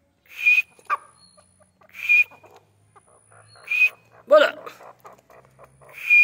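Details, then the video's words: Grey francolin in training, giving loud, sharp, ringing high notes in bursts repeated about every one and a half to two seconds, with a lower, rougher harmonic note between bursts and faint background noises. "Training Of Gray francolin"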